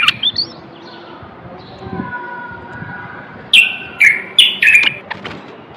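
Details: Male common bulbul from Morocco, song used to stimulate males and ready females for mating: a few separated, loud, downslurred whistled notes following soft faint chirps and a quiet pause.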